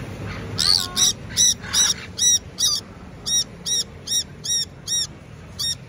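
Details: Bird in Taiwan calling noisily while waiting at a traffic light. Loud, harsh, banded chirps repeat about every half second in a steady series. A low rumble of traffic lies beneath.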